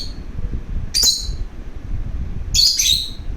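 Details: Lovebird that wants to play gives two sharp, shrill chirps about one and a half seconds apart, the second longer and harsher, over a low steady background rumble.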